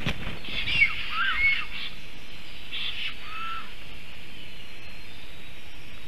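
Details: Black stork in Latvia as the female comes to the nest, during greeting and mating: two breathy, wheezing hisses with thin whistled edges, each about a second long, over a steady rumble of wind.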